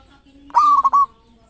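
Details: Local zebra dove sings one loud phrase for luring, a quick rising coo breaking into three rapid pulses, preceded and followed by a soft low drawn note.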